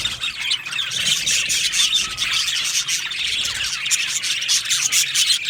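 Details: Aviary colony of Australian budgies, busy overlapping chirps, rasping squawks and little warbled phrases forming an unbroken high chatter.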